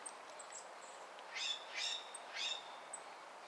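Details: Golden-crowned kinglets, very active in a yard in Corvallis, Oregon: very high, thin, short tsee notes scattered through, with three louder broad rustling bursts in the middle.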